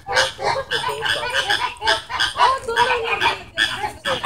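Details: Flamingos squabbling in a fight at the Vancouver Zoo, kept in captivity: loud goose-like honks in irregular bursts, overlapping nasal calls from several birds, with a person laughing nearby.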